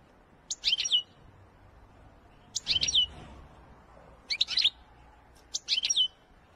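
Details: European goldfinch singing in the Wedani style: four short bursts of high, tumbling notes sliding downward, each lasting under half a second and spaced about one and a half to two seconds apart, over quiet background.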